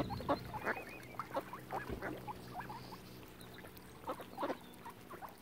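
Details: On Lough Neagh at Oxford Island, Ireland, ducks gathered about a swan family utter short rasping quacks, scattered singly and in pairs, loudest at the start and again after four seconds, over a low steady hum.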